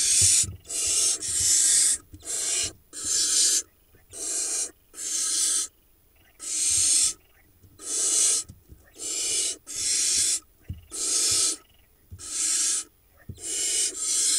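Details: In the Hula Valley of Israel, a nest-box camera catches barn owl young, hatched in early June 2021, begging while the male delivers a vole; rasping hissed screeches repeated roughly every second over fourteen seconds, each burst breathy and broadband.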